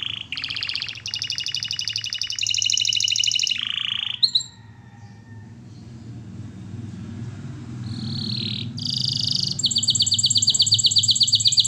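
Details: Canary song meant for training: loud buzzy trills changing pitch in blocks, a pause with faint background rumble, then a rising phrase and a rapid high repeated trill.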